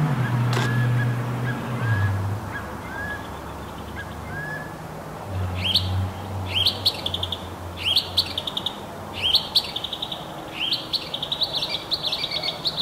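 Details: Northern mockingbird resident in a Palo Verde tree behind a house, singing day and night, changing from one chirp to the next; whistled notes early, then bursts of repeated buzzy chirps roughly every second over low rumbling background noise.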